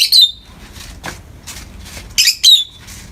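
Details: Morning light on two pet peach-faced lovebirds: a shrill squawk with a whistled tail opens, soft rustling and faint scratchy sounds follow, then two more piercing squawks near the end.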